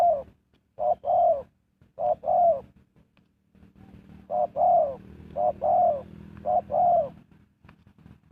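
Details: Spotted dove used to lure wild birds into a trap, calling in clusters of short-then-long hollow coos, a faint steady low hum underneath.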